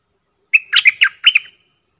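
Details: Decoy bulbul, one of four birds used for luring, recorded in the forest: a short run of five throaty, chattering notes with a thin trailing whistle, then quiet.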